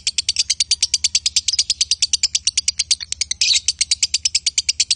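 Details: Male and female lovebirds chattering in a fast, steady run of sharp high chips, about three per second, with one louder burst midway over a low hum.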